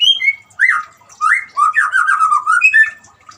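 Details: White-rumped shama song meant to prompt a silent caged shama to sing: a high whistle, then loud slurred whistled phrases running into rapid warbling notes.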